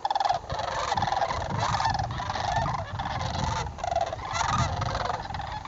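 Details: Sandhill cranes gathered in a flock in northern Indiana on fall migration, October: loud rattling, bugling calls from many birds, with rumbling low wind noise beneath.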